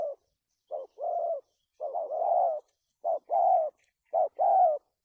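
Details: Spotted dove used as a trapping decoy in Vietnam, giving a stuttering cooing pattern: short low coos followed by longer hoarse coos, in groups repeated about once a second, in a quiet setting.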